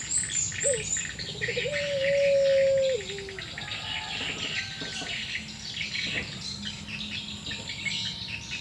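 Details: Puter pelung Barbary dove in a calling exchange, said to be sad or in breeding condition: a short rising note, then one long even coo that falls away, followed by several seconds of insect and bird chorus alone.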